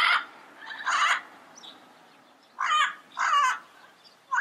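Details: Wild yellow-headed parrots in their natural environment: loud harsh squawking calls in short bursts around one and three seconds, with quiet pauses between.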